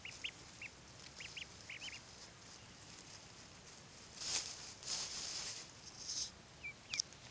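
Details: Week-old Blue Swedish and Buff ducklings outdoors for the first time on an 81-degree day: quick high arched peeps come in a cluster early on, then bursts of broad rustling noise, with a couple more peeps near the end.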